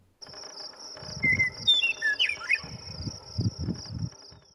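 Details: Western Meadowlark in May 2021 in the prairie of Badlands National Park, South Dakota: a brief run of bright, flute-like notes that tumble downward, over a steady high insect drone and a man's voice.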